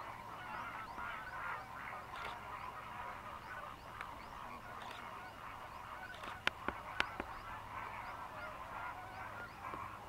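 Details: Over 6000 Greater flamingos fishing in lagoons of Mannar Island, Sri Lanka, during the dry-season migration: rolling, overlapping honks and grunting notes from the flock, with a few loud clicks after six seconds.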